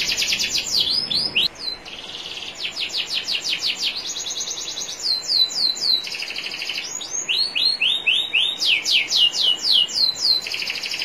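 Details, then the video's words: Training song of a national champion canary over gently trickling water. Rapid trills, steady buzzy rolls, rising upswept notes and high sweeps change every second or so. "MASTERAN KENARI JUARA NASIONAL NEW 2021 ISIAN SUPER MEWAH"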